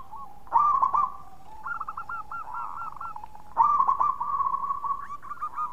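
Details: Local zebra dove song used to draw in other doves: loud bursts of quick rippled cooing, with a softer run of staccato coos in between, over a continuous steady tone.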